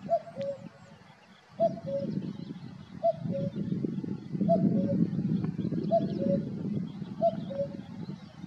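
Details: Male common cuckoo singing in Valdeolea: repeated falling two-note cu-coo phrases about every 1.4 seconds, partly masked by loud low rumbling wind or handling noise.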